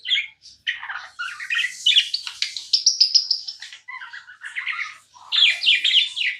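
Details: Pet budgerigar chirping non-stop indoors: a continuous, busy chatter of bright warbled notes and quick chirps, with short pauses near one and four seconds before the twittering resumes.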